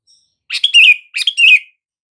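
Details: Sooty-headed bulbul, a call meant to prompt silent bulbuls to answer: two quick liquid, gurgling phrases in close succession, each sliding down at the end, with a clean silent background.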